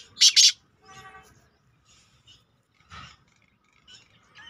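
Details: A partridge (teetar) call used to lure birds: a harsh, loud double burst of grating notes, then fainter scratchy calls about two seconds later, with quiet chirps between.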